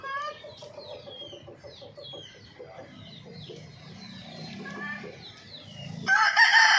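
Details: Hen clucking in a low, quick series of short notes, mixed with high chirping from small birds, ending in a sudden loud, harsh burst.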